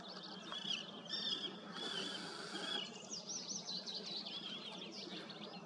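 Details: Common tern on the Cheptsa riverbank at 7:30 on a warm, sunny morning, 10 May, giving high, thin, grating calls in short bursts over a steady hiss of wind and water.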